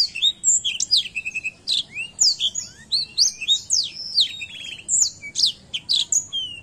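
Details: Black throat singing vigorously in a tutor recording, a fast, varied run of high whistles, sharp chirps and short trills, with rising and falling notes and brief buzzy rattles, delivered in tight phrases with short gaps and nearly continuous throughout.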